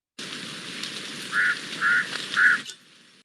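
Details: A house crow, a species noisy throughout the day and higher-pitched than the large-billed crow, gives three harsh, fairly high caws about half a second apart, over a steady background hiss.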